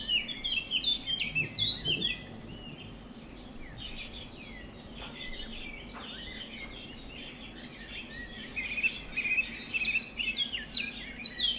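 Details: A pet budgerigar that loves grass chatters in a fast, scratchy stream of high chirps and warbles.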